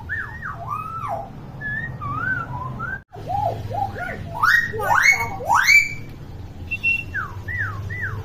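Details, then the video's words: Common hill myna, kept to teach young mynas to vocalize, pouring out many looping whistles that rise and fall, with a brief break and a cluster of loud upswept notes midway. "BURUNG BEO GACOR CEREWET"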